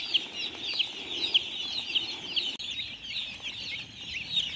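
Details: Flock of farm chicks giving high, thin peeps, a few louder distinct cheeps standing out from the steady chirping chorus, a brief knock midway.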